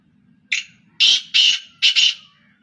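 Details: Black Francolin, one of three birds calling non-stop: a loud, harsh, grating phrase made of one short rasping note followed by three longer scratchy notes, the last two nearly run together.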